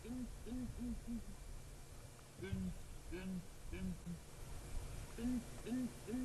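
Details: Southern ground hornbills, a group of four (female, male and two youngsters), calling at morning from a dead tree at Djuma Game Reserve, 3 July 2017, throats filling with air; deep booming hoots in short pairs and triplets with gaps between.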